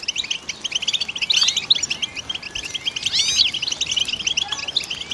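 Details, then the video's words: Goldfinch singing a continuous, rapid twitter of high, sharp chirps and quick slurred notes, layered and dense, over a steady soft background hiss. "Goldfinch Song"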